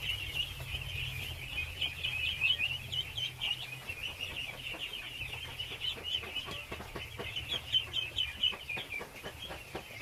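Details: Thousands of baby ducks at feeding time keep up a shrill, overlapping peeping that pulses unevenly, with scattered sharp clicks and taps beneath it.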